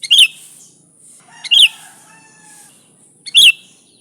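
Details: Sooty-headed bulbul, a real recording without added fill-in birds, played to lure bulbuls: loud, bright, chirpy two-part phrases repeated about every 1.6 seconds, with soft lower whistled lines between them.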